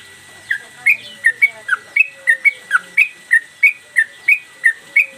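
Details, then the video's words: Sooty-headed Bulbul kept in a cage, singing its single repeated 'gacor' phrase with tail movements, used as training master: bright whistled notes roughly three each second, some rising, some falling, with faint low background hum. "Trucukan gacor mbandul satu lagu main ekor dan Garuda cocok buat masteran"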